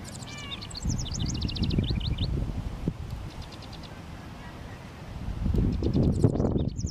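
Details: Male house wren marking territory with song near a honeysuckle fence on a sunny day, 19 °C: a fast, high bubbling phrase at the start, fainter trills later, with loud low rustling and thumping noises over most of the clip.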